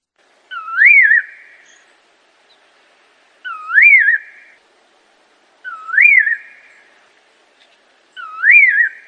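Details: Assam laughingthrush song: a clear wavering whistled phrase rising and dipping, each ending with a short rough trailing note, repeated four times roughly every two and a half seconds in silence.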